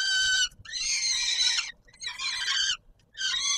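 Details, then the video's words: Peregrine falcon at Warsaw's Palace of Culture and Science, 17 July 2022, calling at supper time: three strained, grating screeches, the middle one drawn out over a second, with brief pauses between. "Sokół wędrowny PKiN Warszawa - Chłopaki wstawać kolacja"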